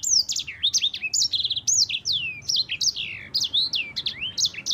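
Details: Yellow-fronted canary, a champion bird used as a lure and tutor for other birds, in a long rolling 'ngerol' song with clear voice: rapid, unbroken run of bright whistled sweeps and trills, many notes falling steeply then rising, with slight low background hum.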